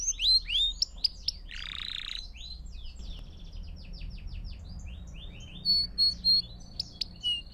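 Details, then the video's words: Canary song for training young birds: lively mixed phrases with a harsh rasping burst early on, then a long run of soft rapid repeated notes and a few loud sharp whistles near the end. "Melodias Claras e Contínuas para seus Pássaros Adorarem Cantar"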